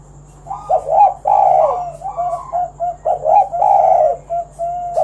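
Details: Spotted dove singing kuk 1 song to prompt other doves to sing: dense, overlapping low coos with long mellow notes and softer echoing phrases, over a steady electrical hum.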